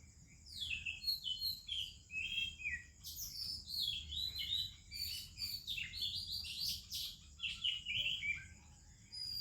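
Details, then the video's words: Melodious morning singing of an Oriental magpie-robin with other birds in India: dense, varied whistled phrases and chirps, twittering continuously over a steady high hum. "30 Minutes a ROBIN Chirping in the Morning"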